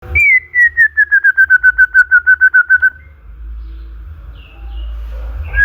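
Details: White-rumped shama song used to stimulate other songbirds: a clear whistled note repeated about fifteen times in rapid series, gently falling in pitch, then quiet with low background rumble.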